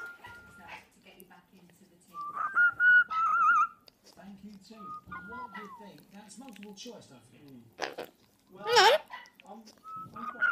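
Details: Pet mealy amazon parrot giving a series of pure whistled notes, some steady, one warbling and one falling. A sharp squawk comes near the end, with quiet human speech running through the background.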